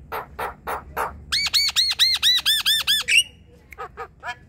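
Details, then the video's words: Javan myna, kept in a group, singing: four harsh rasping bursts, then a rapid run of about nine arched, ringing harmonic notes, a rising squeal, and a few short buzzy chips at the end. "Jalak kebo ombyokan coba putarkan suara ini untuk memancing bunyi"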